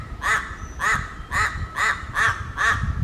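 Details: In Raja Ampat, Papua, a crow gives six evenly spaced, rough, nasal caws at a steady pace of a little over two calls per second.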